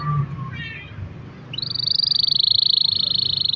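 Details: Canary roll song used to lure other canaries into singing: after faint low background sounds, a steady high pulsing trill begins and holds for the last two seconds.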